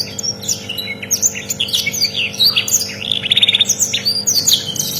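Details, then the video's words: Canary song used as a tutor recording for teaching other birds: fast run of high chirps, sweeps and a rapid trill. "MASTERAN SUARA BURUNG KENARI LANGKA"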